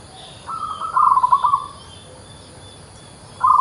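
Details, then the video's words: Lively local zebra dove: one phrase starting with a smooth held note, then a brisk sequence of soft pulsed coos, followed by silence and the start of the next burst; light hiss behind. "PERKUTUT LOKAL GACOR LOKAL"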